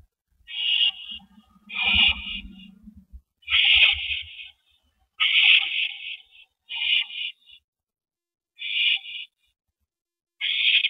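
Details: Rabbit delivery between a mated owl pair at their nest on an April 2012 evening; seven coarse, hissing screeches come at slowing intervals, and a brief low rustle occurs near the start.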